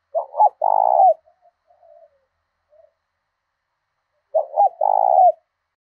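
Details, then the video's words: Spotted dove kept as a decoy in southern Vietnam, singing the 'thổ đồng' style to lure wild birds and challenge them to fight: two clipped notes plus a long throaty coo, given twice with a quiet pause between. "Chim Cu Mồi thúc đấu giọng hay"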